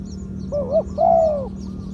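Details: A single 'kuk khu-ang' phrase from a mid-voiced spotted dove decoy: a brief wavering coo, then a longer smooth coo that sags at the end, over a constant low electrical hum.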